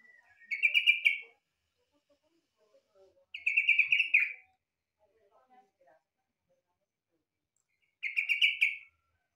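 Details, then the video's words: Yellow-vented bulbul (trucukan) song, said to resemble a green leafbird: three short, bright, bubbly warbled bursts, each about a second long, coming roughly every three to four seconds, with quiet gaps between and no other clear sounds. "Suara burung trucukan mirip cucak Ijo...!!!???"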